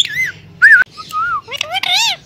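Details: Indian green ringneck parakeet kept as a pet, mimicking human speech: clear whistled, speech-like syllables, a bright arched note, then a gliding tone and a burst of rapid, rich, warbling chatter.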